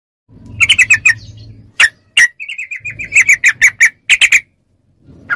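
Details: Yellow-vented bulbul, called trucuk, in training audio meant to make captive bulbuls respond: bubbly, fast chattering phrases of liquid notes, with sharp isolated chips between bursts and a faint low hum.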